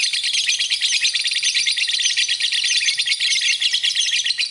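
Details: Lovebird song recorded as a tutor track for training other birds: a dense, unbroken stream of shrill, high chattering trills and squeaks, fast pulses packed tightly together throughout, with no other sounds.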